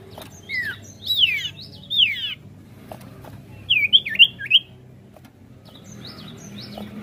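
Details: Sirtu song for provoking other birds into singing: varied bright whistled phrases with sharp downslurred and upswept notes, delivered in short bursts separated by pauses, over a low background hum.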